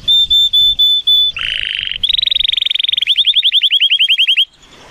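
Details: Timbrado Español canary song, male, born 2018, rated 83 points, recorded on a sunny day. Five clear whistled notes open, then a buzzy roll, a rapid rattling trill and a series of repeated arched notes.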